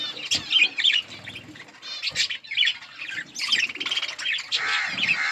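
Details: Colony of budgerigars giving busy chirping calls: warbled, scratchy chirps and squawks pour out in bursts separated by brief lulls, many birds calling together.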